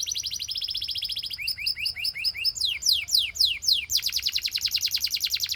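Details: A singing Belgian canary, whose song is said to set other canaries singing, delivers a steady high rattling trill, then clipped rising chips, sweeping down-slurred notes and a dense fast trill.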